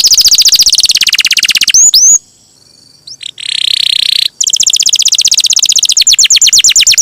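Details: Canary in strong song for training other songbirds: a rapid high trill, two sharp upward whistles, near silence, then a lower buzzy roll and a renewed fast trill of repeated notes.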